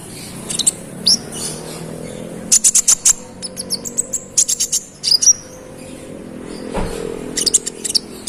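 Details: Brown-throated sunbird (konin) song used to agitate rival birds: bursts of rapid, very high clicking chirps separated by pauses, with a brief low thump partway through and a steady faint hum.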